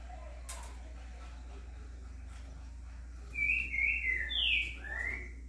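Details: Green-winged saltator in 'estourado' song with a curricutil behind, 26 September. Against a hissy, noisy background, a short series of whistled phrases follows a pause, sliding up and down, moderately loud.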